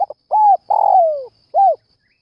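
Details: Early-morning spotted dove calling intensely to stir up other doves: a quick double stutter, an arched mellow coo, then a long drawn note falling in pitch, and a final rounded coo. The background is quiet.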